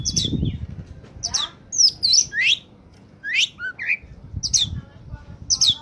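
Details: Oriental magpie-robin in peak singing form, a recording used as a lure for untrained birds: sharp high whistled notes and rapid buzzy sweeps in short bursts, with a low rumble at the start and end.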